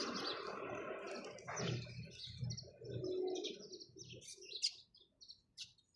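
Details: Sparrow chirps, scattered short high notes growing clearer in the second half after a stretch of loud low rumbling noise at the beginning.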